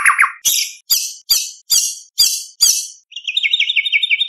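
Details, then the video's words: White-rumped shama in loud contest song full of imitations and 'tembakan' shots, used to tutor juveniles; seven harsh downward-sweeping bursts about every 0.4 seconds, followed by a quick bubbling warbled trill. "Murai Batu Gacor Full Isian ~ Full Tembakan Materi Lomba"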